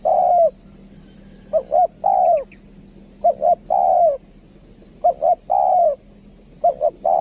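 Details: Kharom-voiced decoy spotted dove singing repeatedly. Each phrase is a pair of brief coos followed by a sustained falling coo, about four phrases in a row, with a soft low hum underneath.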